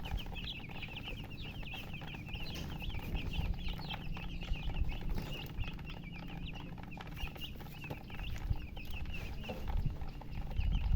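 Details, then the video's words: Coloured poultry chicks cheep for water out of thirst, giving many short, high, overlapping peeps. Heavy low rumbling and handling noise grow louder toward the end. "Murgi chicks Chirping sounds with thirst for drink water"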